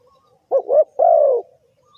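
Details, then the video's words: Cooing of a spotted dove played to lure birds into a trap; two quick hollow notes followed by a drawn-out soft coo that falls slightly at the end, with near silence around it. "The Suara Tekukur"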